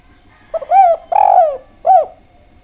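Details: Spotted dove in lively, clear-voiced song, used as a lure to prompt other doves to call: a three-part cooing phrase, a short coo, a longer drawn coo, then a final coo, in quiet surroundings.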